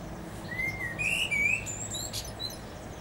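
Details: Common blackbird singing from the top of a tree: a low, fluted whistled phrase gliding and warbling around the middle register, closed by thin high squeaky notes, over a steady background hiss.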